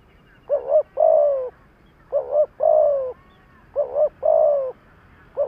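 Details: Spotted dove decoy bird calling to provoke wild doves: low cooing phrases, each a quick wavering double note followed by a longer drawn-out coo, repeated about every second and a half, three phrases heard.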